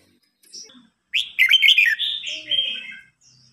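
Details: Singing contest of red-whiskered bulbuls, an old wild-caught bird challenging a young bird. A soft opening chirp gives way to a long, loud, bubbling warble that trails off into a smoother tail.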